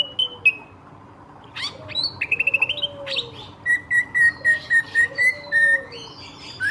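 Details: Lively ashy drongo song used to lure surrounding birds: clear whistled notes, a fast rattling trill, then a run of evenly repeated sharp notes about three per second, with a soft lower whistle underneath.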